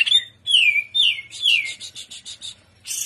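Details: Greater green leafbird singing trotolan style, gacor in udang style: four loud falling whistles in quick succession, then a short run of evenly spaced pulsed notes and a final harsh burst.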